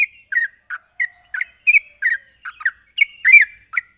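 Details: Sooty-headed bulbul calling a rival: separated short chirps and slurred double notes, a few per second, loud and clear with quiet gaps between.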